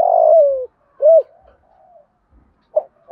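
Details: Calling song of a spotted dove in the thổ voice, aimed at prompting decoys to coo fast. A long rough coo falls away, then comes a short hooked coo, faint trailing notes, and the start of another phrase.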